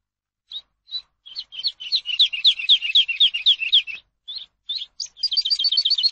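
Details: Eurasian skylark song recorded for teaching captive birds: spaced chirps swell into a rapid warbled stream of notes, pause briefly, then resume as a quick high trill.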